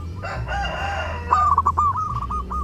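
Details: A zebra dove sings vigorously during the Eid holiday, used as lure audio. It gives a soft drawn-out coo, then a quick stuttering run of about eight short staccato coos over a low background hum.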